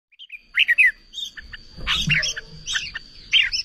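Red-vented bulbul giving short, bubbly chirps in quick bursts, mostly high and slightly descending, with a faint steady whine and low rumble behind.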